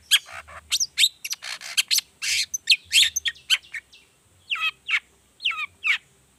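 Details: Energetic long-tailed shrike 'toet toet' variation, played as a lure for other shrikes: rapid scratchy chatter and buzzy bursts, then a few clearer down-slurred whistles spaced about half a second apart.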